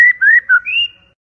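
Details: White-rumped shama lure song (pancingan), clear and loud: a short phrase of four whistled notes near the same pitch, the last longer and higher, over about one second, with no other sounds.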